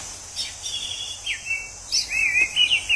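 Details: Wild orange-headed thrush singing in nature: two bursts of clear whistled phrases, some rising and others sliding down, packed together over about three seconds, above a steady high insect-like hiss.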